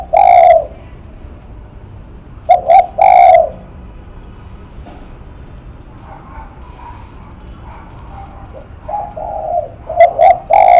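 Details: Spotted dove, described as 'lắc mặt', cooing close by: a long note, then two short coos and a sustained one. After a quiet gap with faint soft murmurs, another burst of short coos follows.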